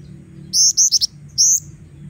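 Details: A female Black-winged Flycatcher-shrike, recorded as lure material for training, gives a run of four rapid high whistled notes, a pause, then one longer rising-falling whistle; faint low hum behind.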